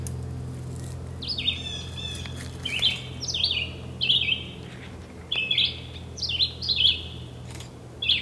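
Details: A red-eyed vireo at Cornell Lab of Ornithology, New York, sings short, slurred whistled phrases, alternately rising and falling, repeated about once a second over a low background hum.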